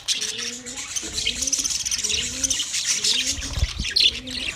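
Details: Budgies recorded on 9 March 2024, a dense flock chatter of high, scratchy chirps and squawks, with a low, soft cooing note repeated about once a second underneath.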